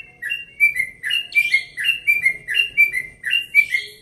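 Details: Yellow-vented bulbul from Bekasi, aged one and a half, giving dawn song in relaxed tone: continuous lively whistled couplets, high then lower, repeated about twice a second with some buzzier overtones.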